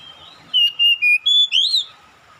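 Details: Calling Oriental magpie-robin that draws a reply from another magpie-robin. Five loud, pure whistles come in quick succession, the middle ones flat and dropping a little, and the last swoops upward and back down.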